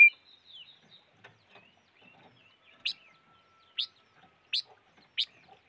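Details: Silver-eared mesia with a faint whistled slur at first, then four sharp, clipped chip notes spaced roughly a second apart against near silence.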